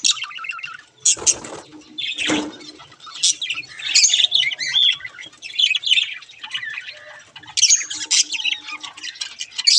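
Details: Budgerigars chirping and warbling in quick, high, scratchy phrases with a few clear whistled notes, broken by two low rustling thumps early on.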